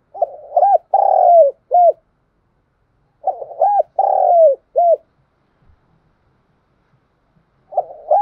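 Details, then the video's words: Spotted dove, a decoy bird calling to provoke and lure wild doves: two loud cooing phrases, each a short coo, a long falling drawn-out coo and a crisp final coo, separated by about two seconds of quiet, a third phrase beginning at the end. "Tiếng chim cu gáy gọi ,thúc gù kích bổi"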